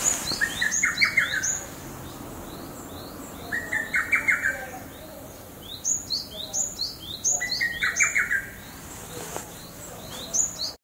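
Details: Lesser cuckoo, the first heard this year, recorded 3 June 2012: three quick phrases of about five loud whistled notes each, spaced roughly 3.5 seconds apart. Another bird keeps up high, thin chirping throughout.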